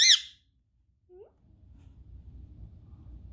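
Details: Female pet Indian ringneck (rose-ringed parakeet, Psittacula krameri) indoors gives one harsh, high squawk lasting a fraction of a second, then a short lower note, over quiet indoor background.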